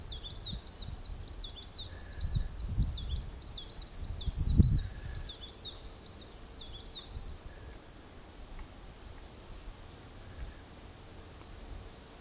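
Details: Male nightingale singing to his beloved: a fast, even series of high chipping notes repeated for about seven seconds, then silence, with gusts of low rumbling wind or handling noise and a few faint distant chirps.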